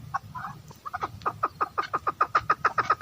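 A female chukar partridge gives a rapid, accelerating run of harsh clucking notes, about three or four per second, growing louder toward the end.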